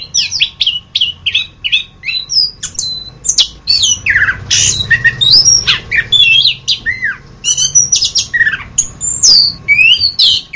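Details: Orange-headed thrush masteran tutor recording: a long, busy stream of quick chirps, harsh squawky notes and looping whistles, delivered almost without pause, with a faint low hum underneath.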